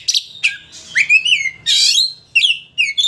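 Oriental magpie-robin singing a rich, varied mix of clear whistles, upslurred notes and harsh scratchy bursts in quick succession.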